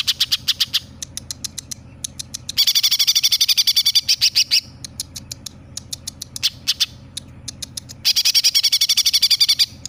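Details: Greater green leafbird in song, imitating sparrow, tailorbird and other birds: bursts of rapid high chirps, about four per second, in long trilled runs with short pauses, plus scattered sharp single notes between bursts.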